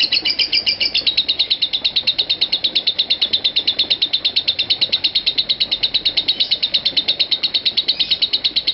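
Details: A lovebird gives a long, unbroken "konslet" ngekek, meant as a master sound for training other lovebirds: rapid, shrill, chattering notes repeated several times a second without pause, high-pitched and steady throughout.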